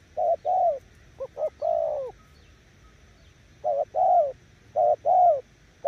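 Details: A decoy spotted dove's coo phrases come less evenly here, one stuttered double note before a long coo. A pause follows, then two more short-long pairs.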